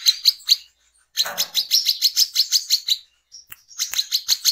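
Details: Brown-throated sunbird used as a lure, giving 'ngecret ngeplong' song: a few loud high chirps, a pause, a steady run of sharp repeated notes, a short thin whistle, then more chirping.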